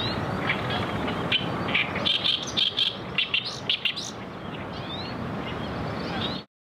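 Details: A Great reed warbler at a pond gives harsh, grating notes in quick chattering bursts for a few seconds, over a steady rumble of wind or distant traffic.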